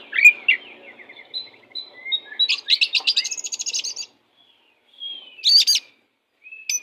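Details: Oriental magpie-robin singing as a tutor bird: soft descending whistled notes lead into a long rattling series of scratchy pulses, followed by a pause, one harsh loud burst and a final short whistle.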